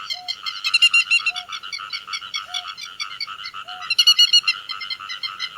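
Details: Grey-headed lapwing flock calls, a netting lure for day and night: a dense, steady chatter of harsh ringing notes, several birds at once, with a soft low pipe repeating about every 1.2 seconds.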